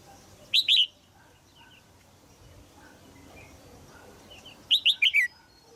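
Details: Female red-whiskered bulbul calling in a cage in Thailand to stimulate a young male to sing: a short chirped phrase, then a four-note downslurred phrase about four seconds later, faint twittering between.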